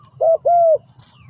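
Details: Spotted dove giving a single close coo phrase: a brief note, then a longer smooth coo that fades downward.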